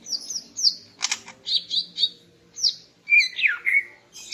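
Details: Greater green leafbird female in morning song to arouse a male: high slurred whistles, a harsh buzzy burst, a run of clear notes, and descending whistles near the end.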